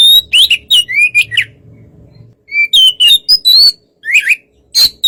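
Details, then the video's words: Kacer (white-rumped shama) relaxed song aimed at stirring another bird to answer; loud slurred whistles and chips in two bursts, separated by a quiet stretch with low hum. "suara kacer santai memancing kacer yg kurang emosi/Fightr"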